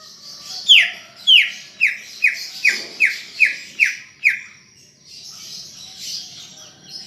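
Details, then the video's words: Greater green leafbird in full song, played to prompt other caged leafbirds to sing: a run of eight loud, clear whistled notes, each sliding steeply downward, spaced about half a second apart, over a soft high background hiss. "Ocehan Cucak Ijo Gacor untuk Pancingan Bunyi"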